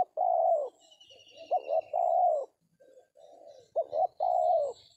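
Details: Spotted Dove, a target bird at a decoy trapping session in an oil palm plantation, gives long mellow coos alternating with quick double notes and softer low murmurs, while thin high trills sound faintly in the background.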